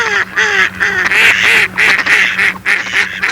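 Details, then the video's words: Mallards give a rapid run of harsh, nasal quacks, about three or four a second, overlapping as several birds call together. "YEŞİLBAŞ ÖRDEK SESLERİ - MALLARD DUCK SOUNDS"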